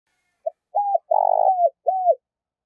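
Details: Decoy spotted dove cooing to lure new wild doves: a short soft note, a mellow coo, a long burry vibrating note sliding down, then a final falling coo, low and hollow, in a quiet setting.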